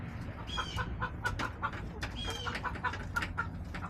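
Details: Hens in a backyard flock clucking steadily, short bright notes repeated every quarter second or so, with two higher whistled squeaks and sharp ticking sounds over a low background hum.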